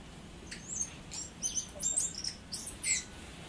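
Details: Tui, a native New Zealand bird, singing: a string of high metallic notes, sharp clicks and short whistles in quick irregular bursts, with quiet gaps between phrases.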